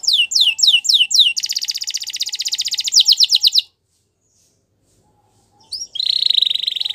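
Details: Belgian canary singing in a training recording: quick repeated downward whistles, a dense rattling trill, a pause of silence, then a steady, rapid, high pulsing roll.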